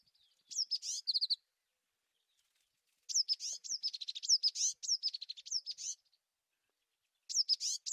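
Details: Tit delivering busy, complex phrases of quick high whistles and chattering notes in bursts lasting up to three seconds, with quiet pauses between.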